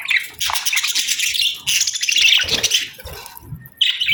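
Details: Two budgerigars in breeding season: bursts of loud, harsh chattering and chirping, with brief pauses between bursts.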